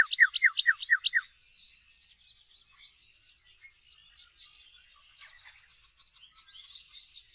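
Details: Northern cardinal singing a quick burst of five sharp, downslurred whistles in just over a second. A long stretch of soft, high twittering from other birds follows.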